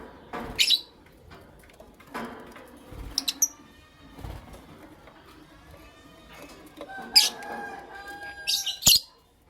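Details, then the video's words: Caged lovebirds, a creamino and a lutino opaline, in the morning: sharp, shrill chirps in scattered bursts, some doubled, mixed with a held, wavering tonal call near the end and soft rustling between calls. "Lovebird Chirping Sounds"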